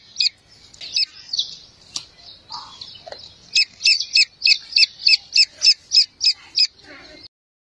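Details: Grey francolin (Francolinus pondicerianus) chicks calling their mother with thin, high peeping calls, first scattered, then a steady run of about a dozen sharp cheeps, roughly three per second.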